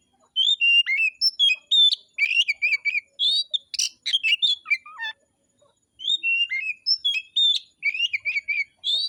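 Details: Forest-caught oriental magpie-robin in full fighting mode, afternoon: a nearly continuous stream of varied whistles, sliding notes and rapid repeated chips, with a brief harsh buzzy burst midway and one short pause.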